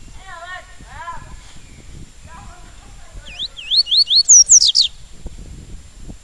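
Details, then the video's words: Double-collared seedeater in tui tui song style: soft lower warbled notes open, then a fast run of sharply rising whistled upsweeps climbing into several loud, piercing high slurred notes before stopping, with faint low background noise. "Papa capim Tui Tui Legítimo"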